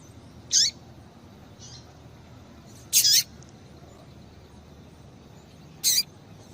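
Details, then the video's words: Calls of a female double-collared seedeater, used to get a male singing: three brief, bright, high-pitched notes with long irregular gaps of up to three seconds, a soft faint chirp between, quiet hiss behind. "Piado de Fêmea de Coleiro para Esquentar Coleiro"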